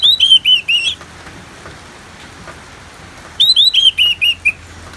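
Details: Orange-headed thrush singing for therapy alongside natural rain: two bursts of clear, falling whistled notes, four then six, separated by over two seconds of steady soft rain-like hiss.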